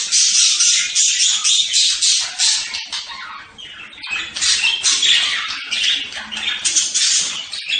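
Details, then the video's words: Budgerigar chattering steadily in fast, harsh, raspy warbles, about four bursts per second, with a softer dip in the middle before the noisy twittering builds again. "صوت طيور هند(البادجي)"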